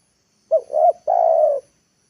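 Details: Single spotted dove lure phrase for luring wild birds to the ground: a short rising coo, a second swelling coo, then a long steady coo, with no background sound.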